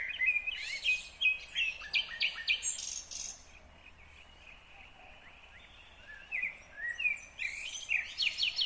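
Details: Song of a nightingale recorded in Kyrgyzstan in 2020: a fast series of stepped whistles and clicking notes, a quiet gap of about three seconds, then another lively phrase of sharp repeated notes.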